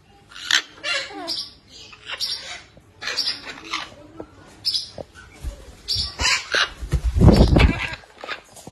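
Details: Two hand-reared yellow-collared macaws, one male and one female, give harsh, grating squawks in quick, uneven bursts, several a second, with low thumps and handling noise near the end.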